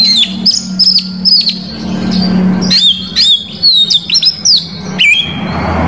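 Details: Oriental magpie-robin song used to provoke rival males: piercing whistled notes with quick up-and-down inflections, grouped in short bursts separated by brief pauses, with a low steady hum in the background.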